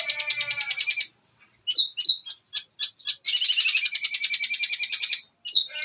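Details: Long-tailed shrike (cendet), a young bird, sings a master song with gereja, petir, armagendon and kuntilanak fillers: harsh buzzy rattles broken by scattered sharp chips and short quiet gaps.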